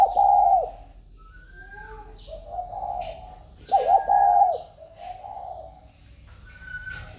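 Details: A newly sold spotted dove, put in a box by its buyer, keeps calling as usual: deep hollow coos in phrases of about a second, repeated four times, with a thin higher whistle and faint voices.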